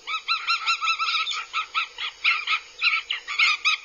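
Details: Northern goshawk chicks on a nest in Abernethy, Scotland, dated 22.07.02 (2022), act aggressively, giving harsh, nasal, rapidly repeated calls, several short notes per second, with more than one bird calling at once.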